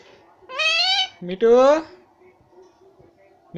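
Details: Indoors, a pet Indian ringneck parakeet says two drawn-out "Mommy"-like words. They are nasal and rising in pitch, with a short click between them, then quiet.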